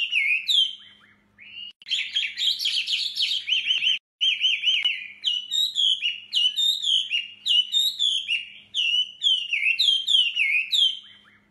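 A male Hwamei pours out loud, rich song: rapid runs of high, sliding whistles and slurred phrases, almost unbroken, with a faint low hum underneath.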